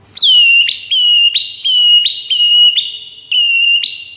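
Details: White-rumped shama master song used to lure rival shamas: a loud, clear whistled note, sharply rising then sliding down and levelling, repeated about eight times in four seconds with brief gaps.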